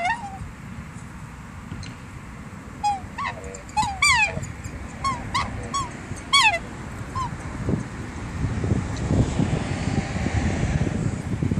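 A black swan gives a quick run of high, squeaky bugling notes, some sliding upward, over about four seconds, against a steady low rumble of wind.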